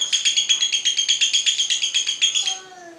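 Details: Cinderella lovebird ngekek, a lure for training other birds' song: a rapid series of shrill, evenly spaced chirps for two and a half seconds, then stopping abruptly, leaving a soft low whistle.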